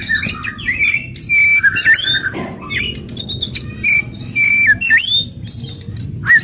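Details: White-rumped shama singing aggressively, meant to stir other shamas: loud whistled notes, sharp rising and falling sweeps and harsh clicks in irregular bursts, over a steady low hum.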